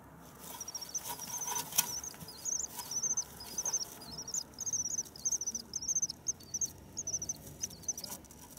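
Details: Newly returned common swifts, arriving 9 May in spring. Repeated high, reedy screaming trills in short bursts about every half second, growing more spaced toward the end, over soft steady hiss.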